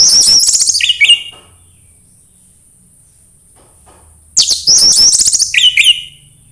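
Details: Orange-headed thrush, 'suara embun pagi' song played to stimulate singing: two bright, tumbling phrases of high trilled and whistled notes about three seconds apart, each closing with a lower buzzy note.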